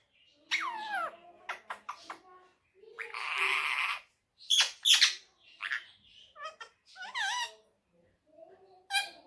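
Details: Indian ringneck parrot kept as a pet, talking and said to say "Miyan Mitthu Churri Khani Hai": a rapid run of speech-like syllables with gliding, harmonic inflections, broken by a noisy hissing burst and sharp clicks.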